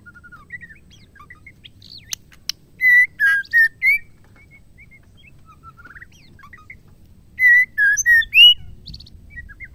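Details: Female white-rumped shama, kept caged, whose song is used to provoke males into singing: soft chattering phrases broken by two bursts of loud, clear, slurred whistles, each about four notes long.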